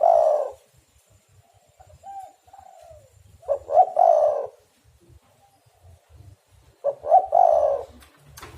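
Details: Spotted dove call used to lure birds into a trap; a loud coo at the start, softer descending coos, then two full phrases of short notes into a long coo, with faint low knocking.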